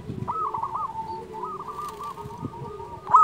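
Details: Local zebra dove song used to rouse quiet doves: soft, rolling coo phrases drawn out across the clip, ending in one sudden louder note, with low background rumble.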